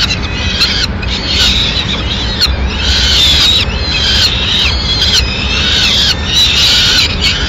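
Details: Peregrine falcon at its Madrid nest, 6 May 2016, female arriving with a pigeon: continuous hoarse screaming in overlapping bouts with slight pitch swoops, over steady background rumble.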